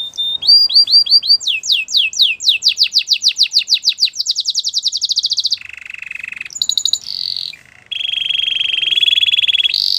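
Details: Bright, powerful Belgian canary song opening with evenly spaced down-slurred chirps that quicken into a rolling trill, then shifting through lower buzzy and higher whistled trills.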